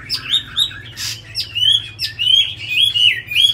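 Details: A tame Chinese hwamei, described as a very good singer, sings loud, clear whistled phrases of rising, slurred notes repeated rapidly, with a brief burst of noise early on.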